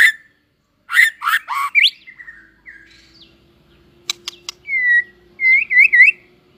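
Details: White-rumped shama, a competition bird coming into form, singing: rapid harsh chattering notes, sharp ticks, then a whistle followed by three quick looping warbled notes; a faint steady hum underneath.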